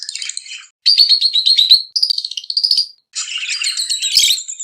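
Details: Excited lovebird song for mating: short phrases of quick high chirps and a clear wavering whistled note, separated by brief pauses, ending in harsh squeaky twitters.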